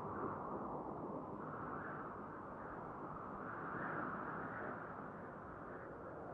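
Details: Broad, rushing outdoor noise with a distant engine-like drone continues throughout, and no animal call is heard.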